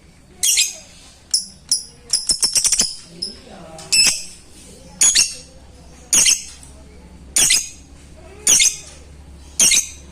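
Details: Caged lovebird calling a rival, with sharp, shrill squawks repeated about once a second and a quick cluster of clicks early on. Faint talking and a low hum can be heard in the room.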